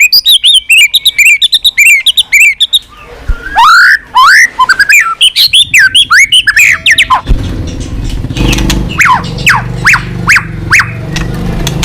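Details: White-rumped shama, a tame captive bird singing a rich, varied song: rapid trilled phrases, then upslurred whistles and squawky notes, later a series of sharp downward-sweeping whistles over a low background hum.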